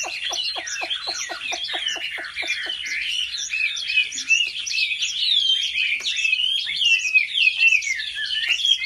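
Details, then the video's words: Chinese hwamei singing in competition style during home training, with a wild-type voice: dense, rich warbled phrases that rise and fall, and a rapid run of sharp clicks in the first three seconds. "Họa mi hót đấu cực hay | Luyện chim họa mi tại nhà"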